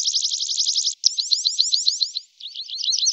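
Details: Song of a tree pipit, a small migratory bird of the wagtail family: a loud, fast series of identical high notes, then a looser trill of slurred notes, a brief break, and another rapid run.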